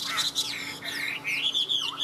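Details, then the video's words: Chinese hwamei in a cage, delivering a rapid run of high whistled and slurred notes, rising and falling in quick succession, indoors with a faint steady hum. "Họat Họa Mi"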